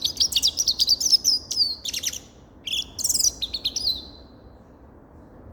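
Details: High, rapid twittering song of a grey-crowned goldfinch, quick chirps running together, a brief pause, then more tinkling notes fading out.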